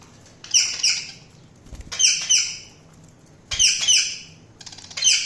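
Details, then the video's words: Budgerigars chirping: bursts of bright, squeaky, warbled chatter come roughly every one and a half seconds, with soft thumps between the bursts. "Budgies Sounds| Budgies Chirping sound"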